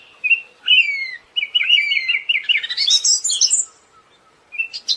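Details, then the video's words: Siberian thrush producing a short whistle, then an accelerating string of slurred notes building into a high, squeaky chatter before a brief pause. "SUARA BURUNG ANIS SIBERIA"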